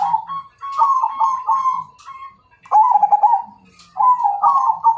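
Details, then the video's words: Zebra dove, Majapahit variety, cooing a fight challenge: several rolling staccato phrases at a steady mid pitch, broken by short gaps, with softer low coos underneath. "Suara Perkutut MAJAPAHIT Ngajak Tarung"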